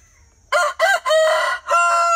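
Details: A single rooster gives a full crow, two brief clipped syllables leading into a long level note and a drawn-out closing note, rich and bright against near silence.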